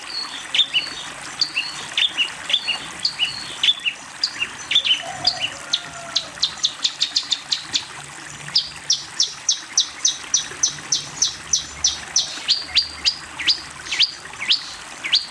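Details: Long-tailed shrike song meant as a model for young birds to learn: varied sharp chirps and slurred notes at first, then a long rapid series of dry clicking notes repeated several times per second, steady and insistent.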